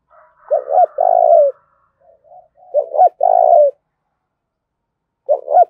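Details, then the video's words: Decoy spotted dove cooing to incite a fight: low stuttered notes leading into a long purring coo, repeated twice plus a final start, with faint higher chatter at the beginning. "cu gay kich boi nhanh noi gù, Tiếng chim cu mồi thúc đấu"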